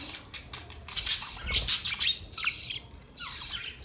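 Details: Budgerigars give short high chirps and scratchy squawks in irregular bursts, with a few downward-sweeping notes and quieter gaps between.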